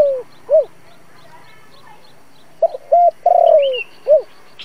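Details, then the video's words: Decoy spotted dove cooing in the 'giọng thổ' voice style, used as a trap lure to draw wild doves: clipped low notes, a long drawn coo sliding downward, then a short arched note, with a faint higher chirp. "Tiếng cu gáy dùng cho loa bẫy, cu gáy mồi cây kích bổi nhanh nổi"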